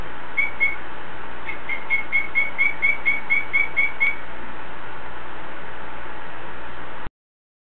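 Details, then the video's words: Greenback trivia gives two high chirps, then a steady run of about a dozen evenly spaced thin chirps that stops abruptly, over a low constant hum. "Greenback Triv Calling"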